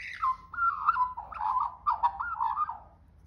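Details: An Australian magpie in Australia, singing for food, gives a rich, warbling run of mellow, fluty notes that wobble up and down for about three seconds, with a faint low hum beneath.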